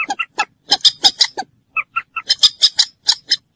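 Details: Common moorhen uttering rapid, harsh, buzzy kek-like notes in two dense bursts, separated by a few cleaner, lower clucks, all loud and close with no background noise.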